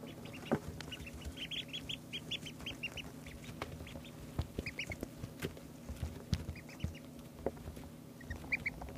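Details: Ducklings two days old peeping in quick bursts of short, high, upward-inflected notes, pausing between runs, with clicks, light knocks and a constant low background hum.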